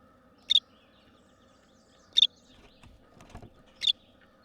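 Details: Six newly hatched, eyes-shut, nearly featherless Tree Swallow nestlings in a nest box in spring give three short, high, thin bursts of begging chirps about every 1.5 seconds, triggered by movement, noise or light, with faint hum and soft rustle.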